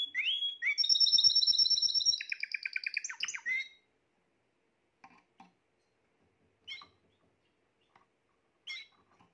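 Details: Spanish Timbrado canary, a bird from the 2020 season, singing a loud rapid trill with steady high tones, a dense rattling series of repeated notes, then falling quiet apart from occasional short chirps.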